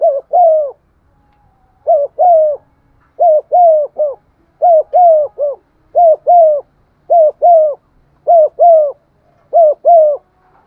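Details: Spotted dove used as a lure bird, cooing steadily to stimulate rival doves in the 'giọng son' style; low coo phrases repeat rapidly, each a quick double note followed by a drawn-out descending coo, with almost no pauses.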